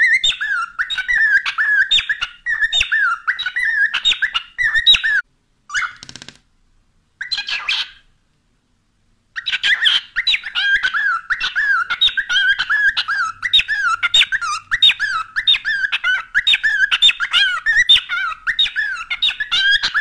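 A cockatiel chatters in quick, scratchy, whistled syllables, mimicking the phrase "whatcha doing".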